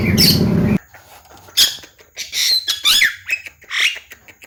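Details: Javan myna chatter, mblegedeg style, intended to stir quiet mynas to sing: a burst of loud noise, then scattered harsh squawks and scratchy upslurred notes with pauses between them.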